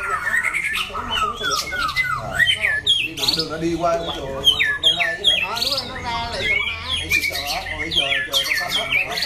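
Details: White-rumped shama, a competition cage bird with a loud, rasping voice and great stamina; rapid sequence of rising and falling whistled slurs and chattering notes, with a low hum underneath.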